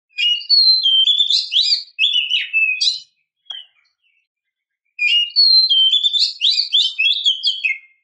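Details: Female oriental magpie-robin calling the male, used to lure him: two bursts of high, rapid, varied chirps and slurred whistles, a lone note between them, then a short pause and another dense chattering phrase.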